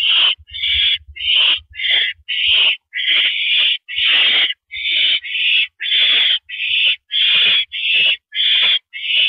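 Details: On a porch perch at 8:17 PM on April 9, 2012, an owl repeats short harsh hisses rapidly, roughly fifteen rasping bursts in nine seconds, with a few longer ones mid-series.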